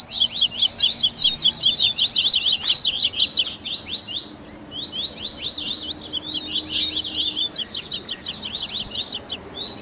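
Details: Double-collared seedeater singing in the chattering baderninha style, used as a warm-up to get a captive bird singing: rapid high chirps and twitters in two long bursts separated by a short, quieter gap.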